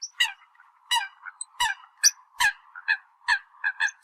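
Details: Eurasian coot decoy call: sharp, piercing honks about every third of a second over a steady low humming tone, with a few high thin squeaks.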